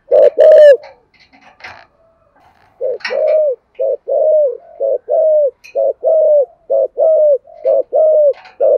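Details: Spotted dove giving thổ-style coos meant to stir other doves into cooing. A few sharp knocks open the clip, then a pause, then a run of deep, paired coos, each ending in a slightly falling drawn-out note.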